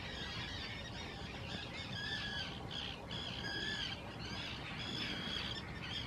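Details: Common terns on nesting islands at the Hula Nature Reserve, Israel, courting vocally in spring 2018 while securing choice nest sites. Scattered rasping calls, some drawn-out, come in bursts over steady background noise.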